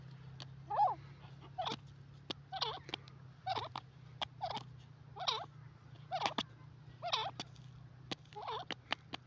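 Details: Yellow francolin, called sindhi teetar, giving a harsh, patterned call repeated roughly once a second in a steady series, with sharp clicks between calls and a low hum beneath.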